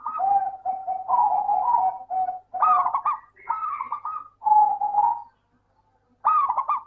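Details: Lure recording of a local zebra dove for lazy singers: a nearly unbroken series of soft coos, then several trilled, bouncing phrases, ending after a brief silence with one final burst.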